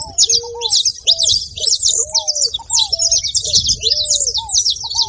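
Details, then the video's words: Saffron finch making noise, continuous high twittering chirps over a regular series of lower, flat whistled notes repeated roughly every half second. "Canário da terra fazendo barulho"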